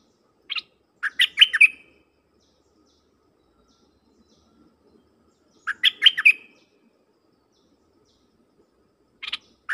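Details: Luring wild birds, a decoy dok taeng bird repeats a burst of fast, chirpy, twittering notes about every four and a half seconds, three phrases in total, separated by silence.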